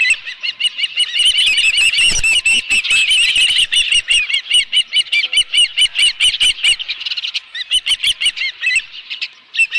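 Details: An osprey calls at its nest with a live fish at Dunrovin Ranch on 11 July 2018. Continuous shrill, rapidly repeated chirps sound over steady rustling and tapping, easing slightly toward the end.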